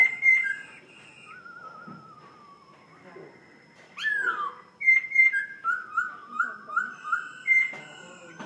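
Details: Caged laughingthrush from Vietnam in forest-voice song: bright whistles, a long wavering descending trill, a sharp upward sweep, then a rhythmic series of rising whistled phrases repeated about three times a second.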